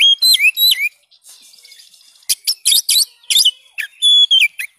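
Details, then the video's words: Oriental magpie-robin (kacer) song used as training material for a caged bird that has stopped singing: loud whistled notes with sharp downslurs and rising sweeps, then a burst of rapid buzzy chattering phrases and a final clear whistle. "ampuh membongkar burung kacer macet"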